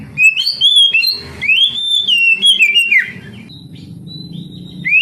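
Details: Oriental magpie-robin whistling as training for young canaries that sing little: a few sweet slurred phrases, a long wavering whistle, then a quieter stretch with faint high notes and low background hum.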